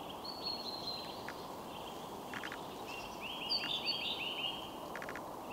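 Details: Eurasian treecreeper (Certhia familiaris) song: a very high, thin brief run of fine notes ending in a quick flourish, over a steady roar of wind or running water.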